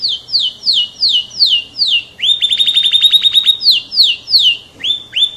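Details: An F1 canary sings loud, clear downslurred whistles in an even series, then a rapid rattle of upswept notes, returning to slower falling whistles and two rising chirps.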